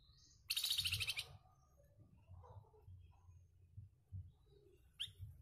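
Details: Flamboyan singing with a rough, harsh voice, used as a master bird to train competition birds; one loud, dense, buzzy chattering burst lasting under a second, then faint notes and a short rising whistle over low rumbling background noise.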